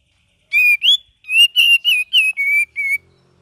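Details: Cream-vented bulbul in full song: a quick run of about nine clear, whistled notes at a steady mid-high pitch, a few slurred upward, each short and separated by brief gaps, against a silent background.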